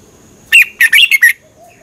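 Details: Red-whiskered bulbul song used for training cage birds or exciting them: one short phrase of five loud, clear whistled notes, rising and falling, over a quiet background.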